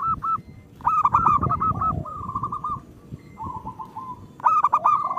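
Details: Zebra dove song from local birds, used to coax quiet doves into song; bursts of stuttering coos alternate with steadier pulsed runs, a lower dove overlapping early on, and a rumble of background noise throughout.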